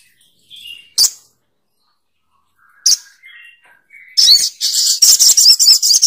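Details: Spiderhunter, sogok ontong, with scattered sharp high notes and thin whistles, building into a fast, loud, harsh chattering series of rapidly repeated calls.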